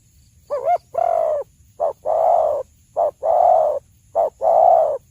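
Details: Cooing spotted dove, recorded for use as a hunting lure: paired phrases of a brief note followed by a longer, husky, level coo, repeated three times in about five seconds over a soft low rumble.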